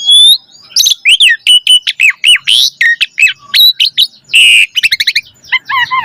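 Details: Full varied Asian pied starling song meant to stimulate other starlings: dense rapid sequence of sharp upswept whistles and chirps, a harsh buzzy burst, a quick trill, and hooked closing notes.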